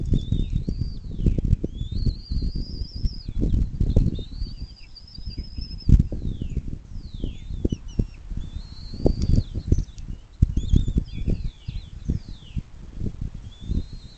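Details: Bald eagle at a nest along the Little Miami River near South Lebanon, southwest Ohio, USA, on 26 April 2024 at 07:02, caught by a nest camera: repeated high, thin chittering whistles rising and falling, over heavy wind rumble.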